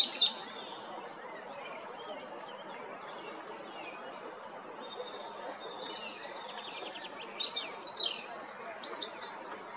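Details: European robin recorded on 13 April 2022 at Jarun, Zagreb, Croatia; faint high thin phrases early, then a brighter burst of high, varied twittering and sliding whistles near the end over steady background hiss.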